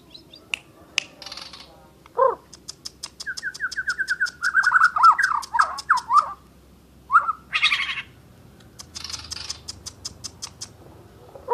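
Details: Asian brown flycatcher singing vigorously: a quick run of slurred, warbling notes falling and rising around the middle range, broken by sharp dry clicks and short harsh noisy bursts, then quieter ticking near the end.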